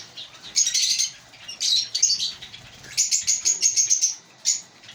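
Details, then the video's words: African lovebirds of a breeding colony chirp in shrill squeaky bursts, ending in a quick run of evenly spaced, piercing notes before a final short burst. "Lovebird Singing & Chirping Sounds"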